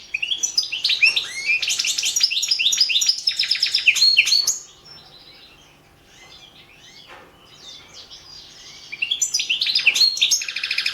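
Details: European goldfinch, Balkan form, singing in an online song competition: loud rapid twittering and buzzy trills for four seconds, a quieter gap with faint notes, then another strong burst.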